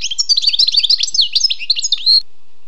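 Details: Song of a wild European goldfinch, a continuous fast stream of bright twittering, trilled and buzzy high notes lasting about two seconds, closing on a short rasping note before quiet.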